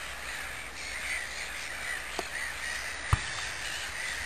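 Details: Mediterranean gulls at Sophiapolder, the Netherlands, give short, nasal, fairly high calls, repeated every half second or so over a steady hiss, with a couple of sharp knocks.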